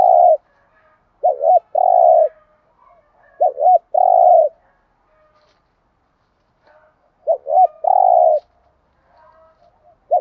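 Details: Spotted dove used as a lure bird to stimulate other doves: loud low coos, a quick double-hooked note followed by a long steady coo, repeated in three phrases with soft background coos.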